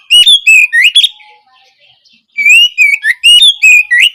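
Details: Opening song of an Oriental magpie-robin, offered as learning material for juvenile kacer: two fast strings of sweet, sliding whistles about a second and a half apart, notes changing pitch from one to the next.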